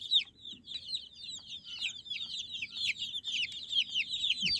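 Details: Flock of baby chicks producing shrill, downward-slurred peeps in a rapid, crowded chorus, growing steadily louder, with a brief thump at the very end.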